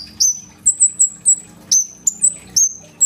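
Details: Caged kolibri ninja sunbird pouring out strong song, recorded by phone: sharp, high-pitched whistled notes with abrupt downward slides, delivered in uneven clusters separated by short pauses, over a quiet electrical hum.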